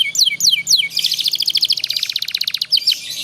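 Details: Young canary learning to sing, used as a master song for training long rolling song: three quick descending whistled sweeps, then a fast dense buzzy trill of rapid repeated notes around two seconds, ending with more sweeping chirps.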